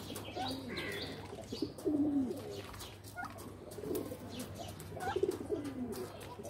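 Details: Low coos from pigeons playing in a loft, two or three rolling phrases rising and falling, over a soft background hum.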